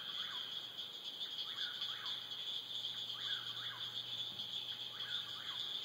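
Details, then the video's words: At dusk, a whip-poor-will repeats its swooping whistled phrase about four times, each with a quick rising end, half-buried in a constant shrill, buzzing chorus of frogs or insects. "Whippoorwill and Frog Songs"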